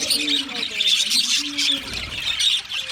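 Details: Several budgerigars, Australian parrots, twitter and warble together in a busy high chatter, over faint lower tonal notes in the background.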